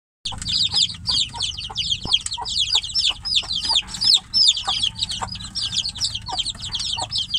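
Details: Caged chicks calling for their mother hen, who is outside the cage: a continuous dense chorus of shrill, high peeping notes, several birds overlapping rapidly throughout, with a low rumbling background.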